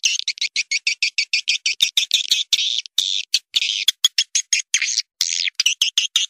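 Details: Swiftlet lure calls for a crowded swiftlet house: rapid, evenly spaced high chirps, then longer harsh buzzy notes mixed with sharp ticks.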